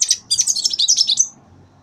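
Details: European goldfinch, a young bird three months old hatched in 2015, gives a quick high chirp, then a fast run of tinkling twittered notes lasting about a second.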